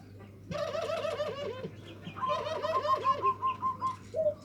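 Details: Local zebra dove singing the nutut style of song, used as a lure to provoke rival birds: rapid stuttering trilled coos in two bursts, with a higher trilled phrase overlapping the second, over a steady low hum.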